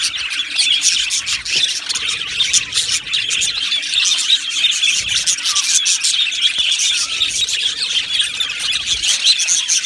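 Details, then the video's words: Aviary flock of budgerigars singing and chirping: busy, overlapping high twitters and short warbled notes, steady in loudness from start to finish. "Beautiful Budgies Birds Singing and Chirping Sounds"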